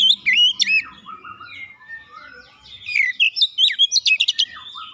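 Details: Kacer (oriental magpie-robin) lure song: varied whistles dropping and rising in pitch, including some lower slurred notes, then a dense, fast burst of sharp chips and trills.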